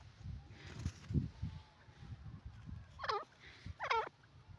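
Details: Grey francolin giving two loud swooping, ringing calls near the end, heard after low thumping and rumbling background sounds.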